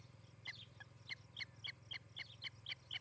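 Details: Nest-cam recording of an osprey at its nest near Charlo, Montana, July 2018: a series of clear, high whistled chirps, roughly three each second, with a steady low electrical hum underneath.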